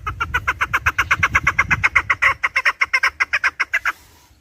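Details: Chukar partridge calling, from a recording meant for partridge hunting: a fast, steady run of harsh clucking notes, about four per second, that stops abruptly near the end, with faint low rumbling early on.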